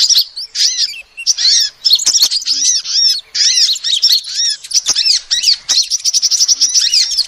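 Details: Female sunbird voice for luring: high, bouncy chirps that rise and fall, strung into rapid, crowded phrases, with short silent breaks and occasional ticks.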